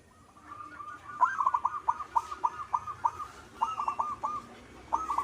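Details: Local zebra dove singing: a fast string of short, clipped cooing notes at mid pitch, about a dozen in quick succession, then a brief pause and a few more notes, with faint background hiss.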